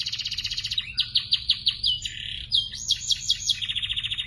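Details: Young canaries in a training recording, singing a fast high song of rapid repeated trills, shifting between buzzy rolls and sweeping notes, with a continuous mechanical hum beneath.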